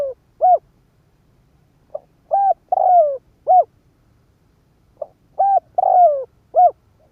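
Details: Spotted dove kept as a decoy, cooing to attract wild birds: two repeated phrases about three seconds apart, each a quick tick, two mellow coos, a lengthy downslurred coo and a brief final coo, in a quiet background.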